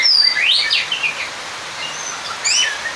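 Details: Oriental magpie-robin song used to call out a rival: a brief burst of bright whistled slurs and chirps, then quieter notes and a final sharp rising whistle.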